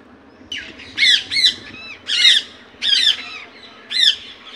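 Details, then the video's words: Indian ringneck parakeet giving its natural voice: five harsh, loud squawks in short bursts, each a raspy rising-falling screech, spaced roughly a second apart over a quiet background. "Natural Voice of Parrot"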